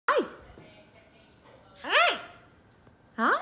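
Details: A male macaw says "hi" to his owner in three loud, husky, speech-like bursts, each arching up then down in pitch, spaced about 1.5 seconds apart.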